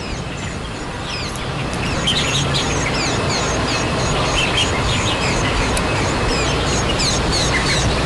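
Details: Wild white-eyes, a parent tending its young until they can fly: many rapid, high, downslurred chirps, about four per second, blending into a busy twittering chorus over low rumbling background noise.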